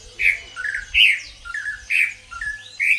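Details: A captive Greater green leafbird sings in a small indoor room, two months after heavy moult, having only recently begun singing. It gives loud, harsh, ringing notes about every second, alternating with lower, softer warbled phrases. The owner is unsure of its origin because it sounds different from others.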